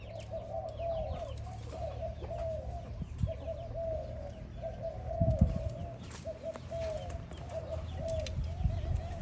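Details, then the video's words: Spotted dove calling another dove, giving low rolling coos broken into short, evenly spaced phrases over a deep rumbling background, with faint high chirps of other birds. "Sound animal spotted dove calling another dove"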